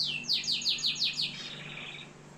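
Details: Canary from Algeria delivering a quick burst of about six loud, steeply falling whistled sweeps in rapid succession, the last ones fading into a softer warble, with a constant low hum beneath.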